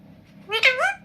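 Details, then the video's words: Pet parrot at home with its family, talking and said to say "mitthu": a single clear two-part vocalization, a bright sharp syllable followed by a rising, voice-like glide, over a quiet room. "मम्मी मे मिठू हु"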